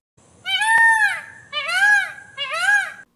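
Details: Indian peafowl, a domestic bird in some rural areas, giving its night scream that sounds like a woman crying "help": three loud, wailing, nasal screams, each arching up then down, about a second apart.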